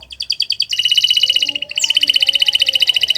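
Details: Canary in long training song, short pulsed notes giving way to a loud fast trill, a brief pause, then a rising sweep and another quick ringing trill.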